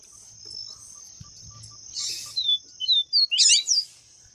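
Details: Double-collared seedeater, a female calling to excite males: a short series of thin, high whistled notes, some sliding down and others rising, ending in a rapid twittering burst, over a steady high-pitched hiss and faint low rumble.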